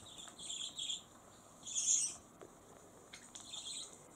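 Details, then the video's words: Pet lutino budgerigar mimicking human speech, trying to say a phrase of affection and correcting itself; short high, scratchy, speech-like bursts in two bright bands, three quick ones then a louder longer one, with further soft chatter after a pause. "自分でツッコミをいれる おしゃべりセキセイインコ"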